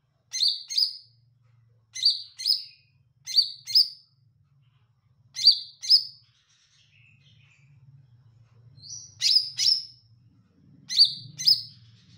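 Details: Olive-backed tailorbird in full, sweet-voiced song: short, bright chirped notes, mostly in pairs, repeated every second or so with brief gaps, over a faint low hum.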